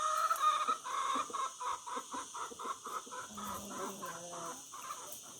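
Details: Rooster giving a rapid series of short clucking notes, about two per second and fading gradually, over a steady background hiss.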